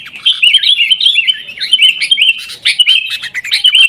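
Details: Agitated, fighting sooty-headed bulbul chosen as a lure to make caged bulbuls sing: dense, bubbling chatter of warbled whistles running unbroken across the whole stretch.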